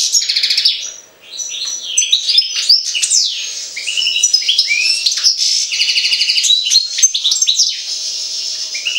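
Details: A long run of European goldfinch song from Jagodina. Rapid tinkling twitters, buzzy trilled phrases and swooping whistled notes continue with only one short pause, over a low steady hum.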